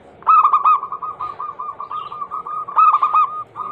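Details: Local female zebra dove, anggungan style, calling to a male as a singing lure: a bright, stuttering burst of coos, a long string of softer repeated notes, and a closing loud burst.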